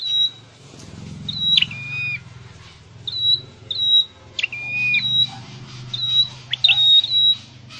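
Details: Scarlet-headed flowerpecker in a training cage gives varied short high whistled pips and a few longer stepped whistles, irregularly spaced, over a steady low hum.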